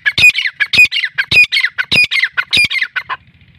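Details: Black francolin, described as a free-roaming Irani or Sindhi teetar, giving loud, harsh, grating notes in a fast rhythmic run of about six phrases over nearly four seconds, then dropping to a faint low hum.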